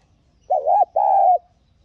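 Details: A lure spotted dove gives two mellow coos, the first wavering and short, the second long and steady, a call intended to spur newly caught doves to start cooing; quiet background.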